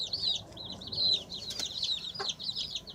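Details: Chicks pecking and scratching produce dense, piercing high peeps, overlapping rapid chirps running the whole time, with a couple of sharp clicks or taps from scratching mixed in.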